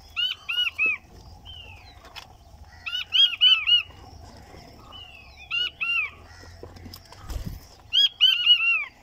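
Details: A king quail (Chinese button or blue-breasted quail) giving short bursts of three or four high, descending piping whistles every few seconds, with a few drawn-out flat whistles between bursts.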